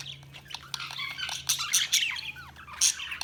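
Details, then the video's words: Budgerigar chirping with quick warbling notes, short bent whistles and harsh squawky bursts, over a soft low hum. "Budgies Sounds| Budgies Chirping sound"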